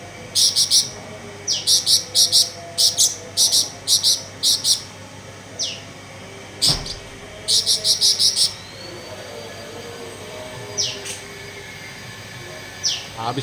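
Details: Blue-winged leafbird just after a bath, giving rapid trains of high, metallic, ticking chirps in tight clusters, broken by a few downward-sweeping whistled notes and a brief thump.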